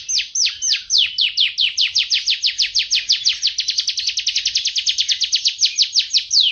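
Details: Canary delivering a steady, loud run of high downward-slurred notes, about six per second, evenly spaced and unbroken for the whole stretch.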